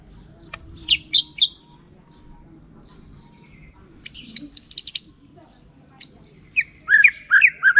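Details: White-rumped shama song used as a lure to provoke reluctant shamas into singing. Scattered bursts of sharp high chips and short phrases give way to loud, rich whistled notes near the end, over a low background rumble.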